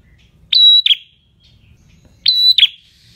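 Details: Prinia giving a semi-gacor, drawn-out, clear song of two high, level whistled phrases, each opening and closing with a sharp chip, repeated about every two seconds over a faint low rumble; a master recording for songbirds to copy.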